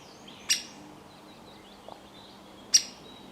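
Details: A woodpecker in Italy gives two sharp, explosive single 'kik' notes about two seconds apart, a typical call heard from late winter, with faint high twittering of other birds in the background.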